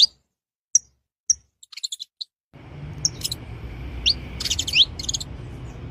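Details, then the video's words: In the wild, saffron finches give sharp high chips and a brief twittering run, after which a steady broad rushing background noise starts and two quick rising whistled notes cut through it. "Canário da Terra na natureza olha que incrível esses pássaros"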